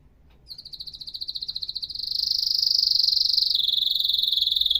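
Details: Atlantic canary singing a fast, even trill of rapid high pulses. It starts softly and swells louder, then shifts to a slightly lower, steady trill partway through. Background otherwise quiet.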